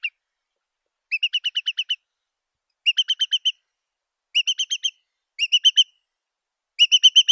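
A curlew gives quick bursts of five to seven clear, high piping notes, a fresh burst about every second and a half, against a silent background.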